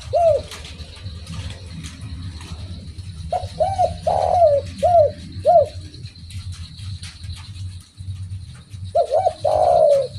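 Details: Spotted dove (derkuku) giving its cooing phrase twice: clusters of short curved coos and a longer note, separated by a few seconds of quiet. Low hum and faint high tone continue throughout.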